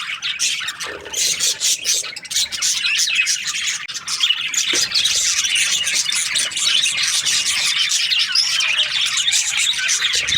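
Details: Budgerigar breeding pairs chirping in chorus: choppy bursts of high chatter at first, then a steady, dense stream of warbles, squeaks and squawks.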